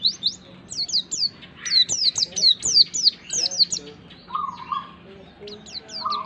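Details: White-eye song meant to stimulate a pleci into singing: dense, hurried series of high, sharp descending chirps, followed by a few lower, drawn-out whistled notes near the end.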